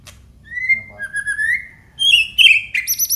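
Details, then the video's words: Aceh white-rumped shama in song. Clear, drawn-out whistles slide slowly upward, then shift into higher, sharper notes and a short, bright trill at the end. "FULL KICAUAN BONGKAR ISIAN MURAI BATU ACEH"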